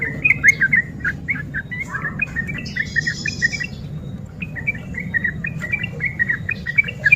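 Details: Sooty-headed bulbul singing energetically in the fast continuous ropel style, used as a lure for lazy bulbuls: rapid bubbly, slurred whistled notes chattering without pause, a short higher buzzy burst near the middle, over a steady low hum.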